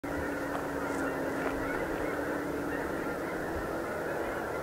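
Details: Snow geese coming in to roost for the night: a dense, unbroken wall of honking from a large flock, blurred into a steady chorus, with a constant low hum underneath.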